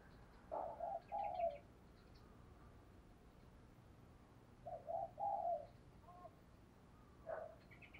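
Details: Decoy spotted dove cooing to lure wild doves, heard faintly at a distance with two low cooing phrases and a single later note over a steady background hiss, with faint higher bird chirps.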